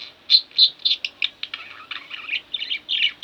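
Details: A pair of caged budgerigars chirps in bright, uneven bursts, several strong notes early, then softer mixed warbling and chatter that rises again at the end.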